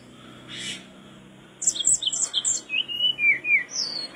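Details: Mangrove blue flycatcher singing persistently, recorded as tutor song for training other birds: after a short quiet start, a fast run of clear whistled notes, some high and sharp, others sliding down, several per second.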